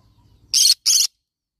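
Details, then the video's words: Yellow-sided conure giving two harsh, noisy squawks in quick succession, each about a fifth of a second long, separated by a short gap, then silence. "Yellow sided conure parrot bird sound"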